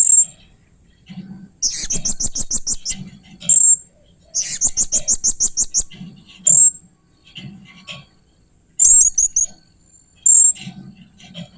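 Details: Blue-crowned hanging parrot uttering strange, fierce calls: two long rapid trains of piercing high notes, roughly ten each, between isolated thin squeaks, with faint low thumps throughout.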